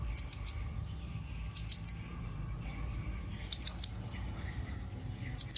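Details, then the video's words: Blue-crowned hanging parrot calling to companions in short triplets of crisp, very high squeaks, repeated about every two seconds, with faint low background noise. "Suara SERINDIT MEMANGGIL KAWAN"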